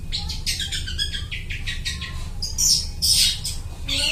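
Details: Long-tailed shrike imitating other birds for luring: a quick run of scratchy chirps and squeaks, ending in louder harsh, buzzy bursts, with a low hum throughout.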